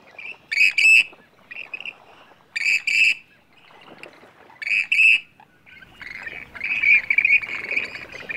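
Western Grebe giving harsh, grating two-part 'krrik-krreek' calls about every two seconds, then several birds calling together in a ragged chorus.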